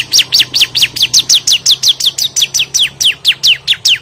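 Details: Bar-winged prinia, locally ciblek, in aggressive challenge song toward a rival: unbroken train of sharp, high, downward-sweeping notes delivered about four per second, loud and regular, with a faint steady hum in the background.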